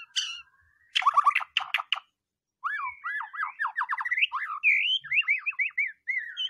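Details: Provocation song of a white-rumped shama to draw out other birds' singing: sharp, clipped notes give way to a flowing series of bouncy, looping whistled phrases.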